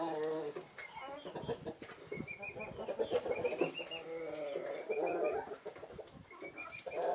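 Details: A mixed flock of Naked Neck, Marans and Easter Egger chickens enjoying the winter sun. Busy, overlapping clucks and nasal calls continue throughout, with faint high chirping from other birds behind.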